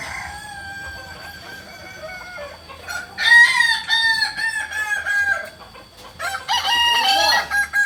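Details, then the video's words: Kokok Balenggek chickens at crowing practice in Amko, Solok city: a faint distant crow first, then loud stepped, multi-syllable crows from about three seconds and again near six seconds, with a low background rumble. "Latberan ayam kukuak balenggek di amko kota solok"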